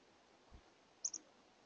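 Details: Black-capped Chickadee visiting a bird feeder during the day on 11 March 2024 gives two quick, very high, thin chips a split second apart, after a soft low thump against a faint background hiss.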